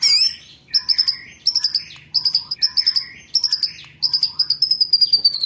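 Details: White-rumped shama, training recording for song-contest birds: high, ringing clusters of notes repeated in quick bursts, ending in a long, thin sustained whistle.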